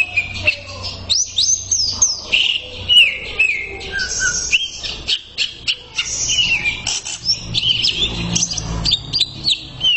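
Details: Greater green leafbird tutor song used as therapy for birds: a continuous rich stream of loud whistled phrases, sliding up and down, with sharp chirps and quick trills packed closely together and a low rumble underneath.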